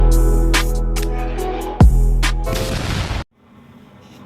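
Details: Loud music with booming, gunfire-like hits runs for about three seconds, then cuts to faint hiss with no animal calls.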